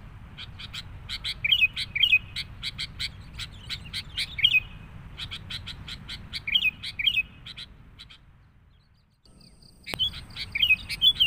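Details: Sooty-headed bulbul lure recording, a noisy style meant to draw in bulbuls: short bright slurred whistles set among dense rapid chattering pulses, in bursts with a quiet gap near the end before the calling resumes.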